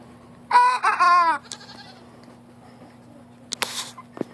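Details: Little young cockerel learning to crow: a short, hoarse, quavering crow attempt of about a second, broken into three wavering bursts, then scattered clicks and a brief hissing rustle.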